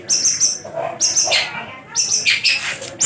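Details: Caged Javan long-tailed shrike in good condition, tame and singing steadily, offered for sale; high varied chattering phrases in bursts separated by short pauses, with faint music in the background.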